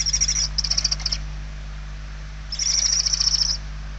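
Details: Hungry barn owl young calling from a nest in Spain, late November 2023: two rasping, pulsed hiss bursts, the second steadier and about a second long, separated by a quiet gap.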